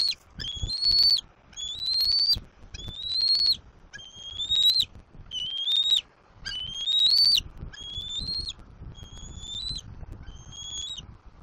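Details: On a Southwest Florida nest in April 2024, a juvenile bald eagle squees repeatedly while claiming and wanting to be fed from a fish its father delivered; nine rising whistled cries, roughly one every second.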